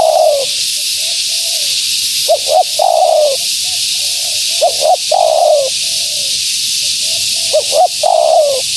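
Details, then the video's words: Female spotted dove calling to draw in wild doves, giving repeated phrases of two quick hooting notes followed by a drawn-out, slightly falling coo, with softer coos between, over constant hiss. "Suara Burung Tekukur Betina Gacor‼️Tekukur Liar Pasti Tak Tahan Mendengar Suara Ini"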